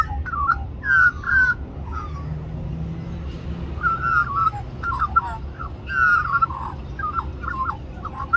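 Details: Young magpie at Cirillo Reserve, Middleton Grange, New South Wales, Australia, singing while begging for mango at lunchtime; clusters of fluted, warbling notes in bursts, with a low background hum.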